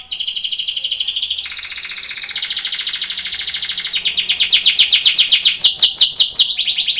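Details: Belgian canary singing a contest training song, long continuous buzzy roll dropping in pitch partway, followed by quick rhythmic trilled phrases and a final high note.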